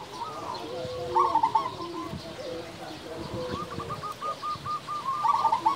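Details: Local zebra doves sing loudly and often, serving as a lure to rouse other doves. Several birds overlap in a soft purring coo with rapid bubbly trills, joined by lower steady cooing and some faint background rustle.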